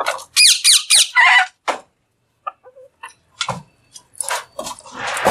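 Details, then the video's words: Alexandrine parakeet vocalizing while eating: a fast run of harsh, harmonic, downward-sweeping squawks about four per second, then soft clicks and scattered short noisy bursts. "Green Parrot Talking | Talking Parrot Eating"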